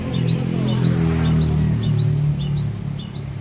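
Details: Cinereous tit (gelatik batu) from Aceh, kept at home, singing loudly and persistently: a rapid run of bright two-part phrases, each a rising whistle followed by a lower note, about six phrases in quick succession over a low background hum.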